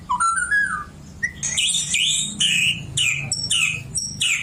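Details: Oriental magpie-robin, a kept songbird, singing phrases copied from a white-rumped shama it was raised beside: a rising whistled opening, then loud bright notes in quick succession, many sharply upslurred, with brief pauses between bursts.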